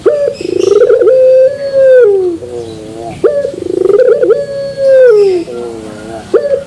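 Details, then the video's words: Puter turtle dove in pelung style, metallic terasan tone: loud drawn-out coos, each opening with a buzzy swell, holding level, then dropping into a soft quavering low note, about every three seconds. "Puter Pelung Terasan Bermetal"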